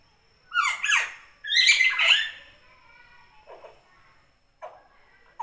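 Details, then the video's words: Common hill myna calling energetically: two loud, harsh, harmonic squawking bursts in quick succession, then softer scattered notes and short squeaks in a quiet small room. "Suara burung beo alami gacor"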